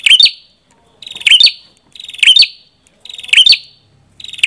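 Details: Red-headed prenjak giving a rapid series of high, harsh, buzzy chirping phrases, each a quick stutter ending in a sharp note, repeated about once per second, five phrases in all, no other sounds.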